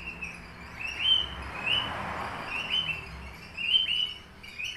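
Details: Papuan Horsfield's bush lark, race aliena, a caged bird tutored on finch songs. It delivers repeated short whistled upslurs of fairly even pitch in loose phrases, with a soft hiss behind them.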